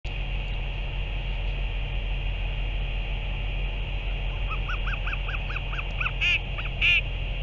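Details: Northern royal albatross recorded on 30 March 2023: a run of about eight short, arched, nasal calls rising then falling, given in quick succession and growing louder toward the end, over a steady low hum and hiss.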